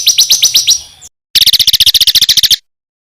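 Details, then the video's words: Songbird master recording of dense fill phrases for contest birds: a short run of quick sharp chips, a pause, then a rapid even rattle of about fourteen buzzy notes stopping abruptly. "BURUNG MASTERAN FULL ISIAN UNTUK BURUNG LOMBA"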